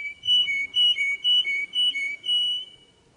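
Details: Singing canary delivering a steady series of paired whistled notes, a higher and a lower tone alternating, about five pulses in three seconds, then fading away; quiet indoor background.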